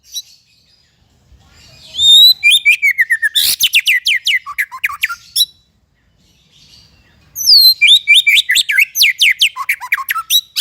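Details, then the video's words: White-rumped shama singing, a bird used for training other songbirds: rapid bursts of loud, sharp descending whistles and chips, repeated about twice a second, a brief upward sweep, then a pause and a second burst of clipped notes. "MASTERAN MURAI BAHAN DAN MURAI MANDEK ( shama bird singing )"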